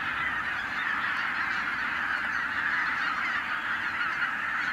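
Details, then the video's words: A huge wild goose flock of several tens of thousands, put up by a white-tailed eagle. Continuous overlapping honking merges into one steady, loud wall of sound. "Vadliba szezON 2023"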